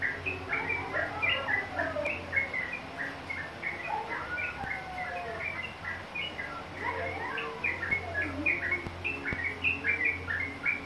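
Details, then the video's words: A young yellow-vented bulbul, responding to a lure recording, gives phrases of bubbly, chirping notes, several each second, with slurred downward whistles woven through and a low steady hum beneath. "Pancingan trucukan muda jadi ikut nyaut rople"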